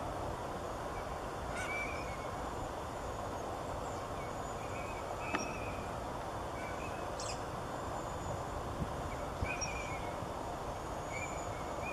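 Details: A small group of green-winged teal (Eurasian teal) displaying and calling at Meeker Slough, Richmond, California, on 16 December 2015: short, high pipping whistles scattered every second or two over a rushing background of wind or water.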